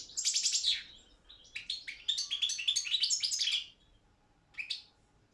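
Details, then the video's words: Balkan goldfinch, Carduelis carduelis balcanica, a contest singer in an online world championship organised in Serbia: a sharp tinkling burst, then a longer run of quick twittered notes, silence, and one final short chirp. "Pesma štiglića 006/23 World Championship in Goldfinch Song"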